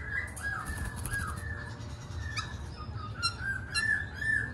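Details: Mellow, flowing whistled phrases from a black-throated laughingthrush, slurring up and down, with a few sharp clicks and low background hum.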